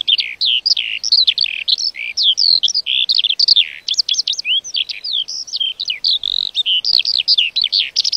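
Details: Continuous lark song, a fast unbroken stream of high chirps, slurred whistles and quick rising and falling notes, very varied and hurried, with no pauses and no other sounds.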